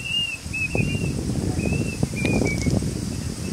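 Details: Plaintive cuckoo (Cacomantis merulinus) calling during Cyclone Yaas: a handful of thin, clear whistled notes at a steady high pitch, some slightly falling, half-buried under heavy low rumbling noise and scattered knocks.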